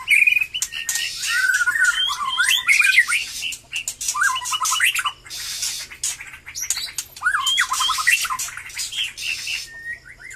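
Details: White-rumped shama freshly singing after its moult, giving bursts of ringing whistles and fast rippling trills separated by rasping, crackling notes, with a brief quieter pause midway.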